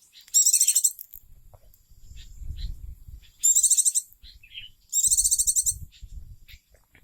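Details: Kept oriental white-eye, a pet bird later lost, delivering three loud bursts of fast, high, tinkling trills, each under a second long, separated by quiet gaps with soft low background rumble.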